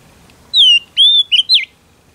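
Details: Whistled phrase of a female Oriental magpie-robin used to excite males: a falling whistle, a long steady whistle, then two quick slurred notes over a low background hum.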